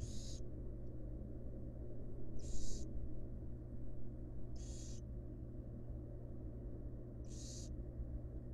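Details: Four drawn-out, breathy screeches come at uneven gaps of two to three seconds from a wild barn owl nest box where a female is feeding her fledglings. A steady low drone runs throughout.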